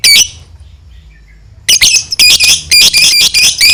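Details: Caged lovebird giving a long ngekek chatter meant to provoke other lovebirds into calling: a loud burst of harsh, high shrill notes, a pause, then rapid squawking chatter in quick repeated bursts.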